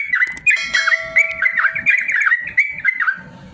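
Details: Caged yellow-vented bulbul song for training lazy birds to sing: warbling liquid notes with a sustained whistle-like tone running under the first second.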